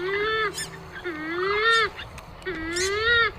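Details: Purple swamphen lure call for hunting: three drawn-out, nasal honking notes, each about half a second to a second long, gently rising then dipping, rich in overtones, repeated roughly every second over a faint background hiss.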